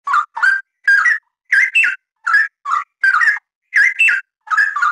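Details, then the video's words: Straw-headed bulbul (cucak rawa) in dense, chatty song offered as a tutor recording: loud, rich whistled phrases in short bursts, each note warbling and rising between low and mid pitch, about nine phrases with brief silent gaps, no other sounds. "Suara Kicauan Burung Cucak Rawa, Rowo Gacor Rapat Cocok Buat Masteran"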